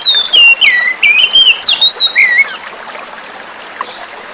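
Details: Oriental magpie-robin, caught from the forest, singing to coax birds that stopped singing; a rapid run of loud, varied whistles, slurred and rising-falling, for about two and a half seconds, then only faint flowing water.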